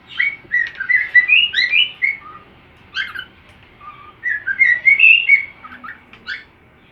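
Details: Cockatiel learning a new song from another cockatiel: a varied whistled melody of rising and falling notes in two phrases, separated by a quiet gap.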